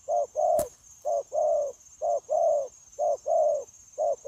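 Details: Spotted dove, a wild-caught decoy bird used for trapping, giving repeated 'gù' coos: short low note followed by a longer rounded one, paired about once a second; one sharp click early on and a constant high hum.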